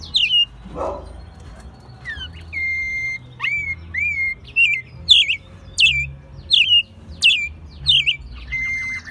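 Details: Caged American robin raised from a chick, singing in Mexico City in March 2020, its second singing year; a series of loud whistled, sharply bending phrases repeated roughly every second, with a faint low hum beneath.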